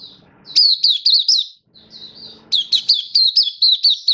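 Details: Malaysian white-eye, a caged song bird in Singapore, sings on a warm, sunny day in March 2023. A fast sequence of high, falling chirps, about two per second, follows a softer, thin warble.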